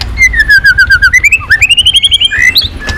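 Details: Provoked white-rumped shama in full song, beating its tail nonstop and changing voices in a swiftlet-style string. A fast, even series of whistled notes dips, then climbs in pitch over three seconds.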